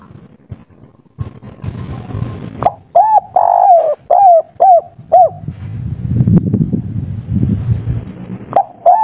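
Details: A local wild-voiced three-note spotted dove, described as agitated and full of emotion, gives a quick run of soft, hollow, slightly rising coo notes, then another coo at the end, over a low rumbling background.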